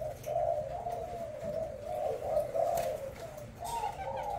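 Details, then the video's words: Spotted dove of the Thai strain, caged, black-necklaced, booming out its coo. A deep, pulsing run of rounded notes rises slightly at the close, recorded softly with light background hiss. "Cu gáy thái tim trắng cườm đen bo đùng đùng"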